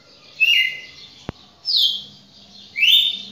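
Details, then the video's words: Red-cowled cardinal song: three loud, rich, slurred phrases falling from high to lower pitch, with gaps between them, a sharp click in between, and a faint low hum underneath. "galo-de-campina campeão"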